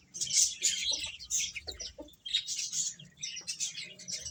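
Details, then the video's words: Young chicks eating and chirping in bursts of shrill, high peeps that crowd together, with brief gaps and a few lower clucky notes between them. "Beautiful Chicks Chirping Sounds | Baby Hen Eating"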